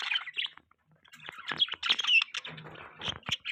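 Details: Budgerigars, possibly mating, chattering in quick, scratchy chirps and warbles, several birds overlapping in a busy, irregular stream with a few clicks between bursts.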